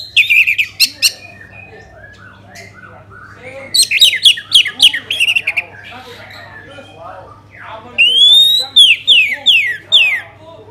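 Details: Orange-headed thrush song meant to set other birds singing: bursts of descending whistled slurs and quick chattering notes, a quieter spell, then a run of loud falling whistles repeated rapidly.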